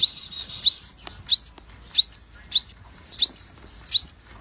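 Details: Crimson Sunbird, known locally as sogon, with striking colours, singing actively: repeated sharp, high upward-sweeping whistles about every 0.6 seconds, each preceded by a brief bright click.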